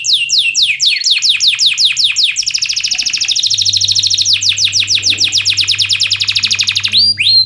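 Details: Canary singing to coach canaries that rarely sing: repeated falling whistles flowing into a long, very rapid buzzy trill, with a steady low hum.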